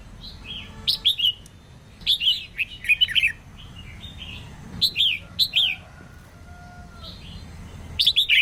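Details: Female red-whiskered bulbul singing to rouse males and encourage newly caught birds to sing more. Repeated bursts of sweet, bubbling slurred notes every couple of seconds, with faint soft tonal whistles beneath.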